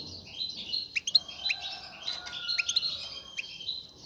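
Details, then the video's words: Male European goldfinch singing to stimulate a female to mate; high, tinkling twitters repeated over a noticeable background hiss, somewhat quieter and less crisp. "مقنين يغرد بقوة💪, سوف يجبر انثى الحسون🐦 على التزاوج👫"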